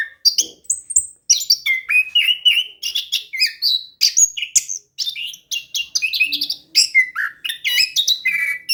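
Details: Orange-headed thrush in vigorous rolling ngeroll song, a lure for quiet birds: a nearly continuous stream of varied whistles, chirps and trills, rich and fast throughout.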